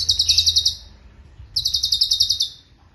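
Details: Two fast rolls of high, buzzy, tightly packed notes from a cucak cungkok kept as a song master, each lasting about a second, with a short pause between.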